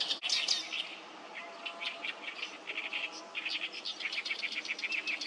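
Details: Wild oriental reed warblers at Sawatari River, 7 June 2024, many birds loudly singing; dense chattering, harsh repeated notes blend into a continuous noisy chorus.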